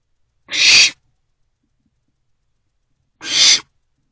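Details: Nest-box owlet at night on 24 April 2024, busy with a large rodent, makes two loud, breathy screeching hisses separated by nearly three seconds of quiet.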